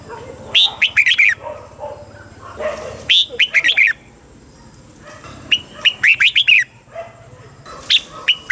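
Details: Red-whiskered bulbul in Thailand, southern master-style song played to excite caged birds and teach young birds: four short bursts of bright, warbled whistled notes separated by pauses of about two seconds, over a faint steady hiss and low murmur.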